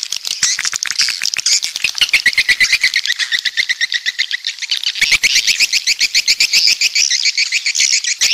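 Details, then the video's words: Swiftlets, walet pantai type from the south: sharp chirps repeated about four times a second in steady runs, a short break, then another fast series over high twittering. "Suara Walet Pantai Dari Selatan"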